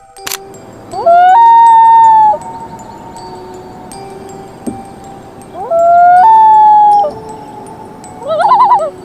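A common loon gives two long, mournful wails, each sliding up and then holding a high, eerie note, ending with a quavering call over a low musical drone.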